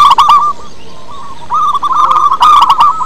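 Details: Local wild zebra dove, used to lure and train other doves to sing: fast trilled cooing that breaks off briefly, then resumes. Loud clicks sound at the start and near the end.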